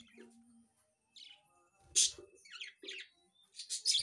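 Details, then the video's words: Wild budgerigar chirping: scratchy, high chirps and short buzzy bursts come in quick irregular clusters, with a few louder harsh notes near the end and a faint low hum early on. "Budgerigar in wild"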